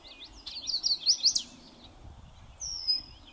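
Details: On a windy northern US prairie, a North American song sparrow gives a quick run of sharp high notes and a short trill, then a brief whistled note, with light wind noise.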